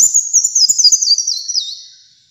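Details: Single high, sweet twittering phrase from a kolibri muncang sunbird, its notes dropping in small steps before fading out, recorded as masteran and lure material.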